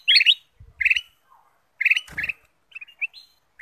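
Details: Bulbul, called kutilang emas, whose song serves to coax other birds into singing: scattered bright chirps in short bursts separated by pauses, with a brief low thump midway.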